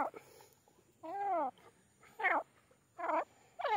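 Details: Grey francolin (teetar) giving four harsh, nasal, harmonic-rich notes about one second apart; the first is longer and arched, the later ones shorter and rising, over a quiet background with faint hiss.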